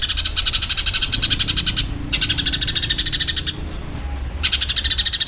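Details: Combative Eurasian tree sparrow recorded as master audio for songbirds: three long bursts of fast, scratchy, high chirping, around ten notes per second, separated by pauses of about half a second, with a low background hum.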